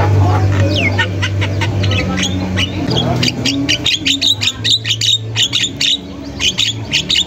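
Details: Javan myna in energetic song in a masteran recording: a swooping whistle, then dense, scratchy high notes that speed into a quick pulsing series, with a steady low hum.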